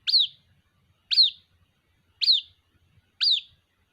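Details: A white-breasted waterhen chick calls to its mother with four high, piercing, downslurred peeps. They come at a steady pace of roughly one per second against an almost silent background.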